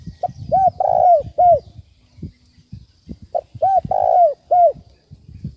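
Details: Spotted dove 'thúc bổi' call used as a trapping lure: two quick runs of short arched coos around a longer falling note, with low background thumping.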